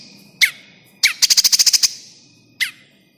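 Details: Bar-winged prinia call used as a lure for trapping birds: a few sharp descending chips, then a quick burst of about nine rapid high buzzy notes, then another single chip; background music faintly present.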